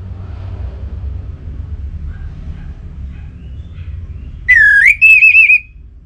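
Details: Short burst of song from an orange-headed thrush, a lure for getting caged thrushes singing, Bali: one clear whistle dipping then rising into a trilled, level warble after several seconds of low background hum.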